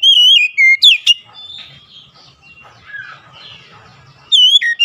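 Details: Oriental magpie-robin song used as a lure to make other magpie-robins sing: loud clear whistled phrases with harmonics near the start and end, separated by a quieter stretch of soft, scratchy warbling notes.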